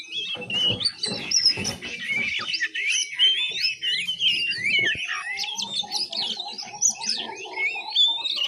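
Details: Juvenile oriental magpie-robin practising ngiriwik: busy jumbled warbling of squeaky, jumping whistles; partway through, a lower soft note repeats about twice a second beneath the twitter, alongside scattered clicks.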